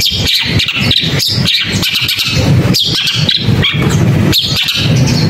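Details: Long-tailed shrike: a busy stream of harsh, high squeaky notes with quick slurred whistles and sharp ticking sounds, over steady low background noise.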